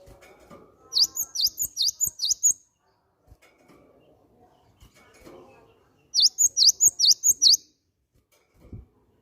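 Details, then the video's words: Cinereous tit (gelatik batu) calling as a lure to get other birds singing: two bursts of about eight rapid, high, V-shaped chirps several seconds apart, with light tapping and faint background noise. "PANCINGAN BUNYI BURUNG GELATIK BATU"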